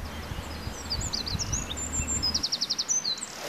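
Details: In the early morning a Eurasian wren sings animatedly, ignoring a nearby observer, pouring out a very high, rapid jumble of notes that runs into a fast, evenly pulsed trill, over a low rumble of wind.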